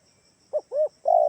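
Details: Single spotted dove lure phrase, Kalimantan type, meant to make other doves answer: two short soft coos followed by the start of a longer note that is cut off, with a steady high insect hum behind.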